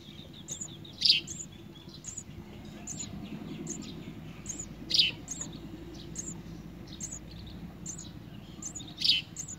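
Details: House sparrow chick begging while being fed a large blue caterpillar by a parent: sharp, bright chirps in short bursts about every four seconds, over a steady high ticking and faint low background rumble.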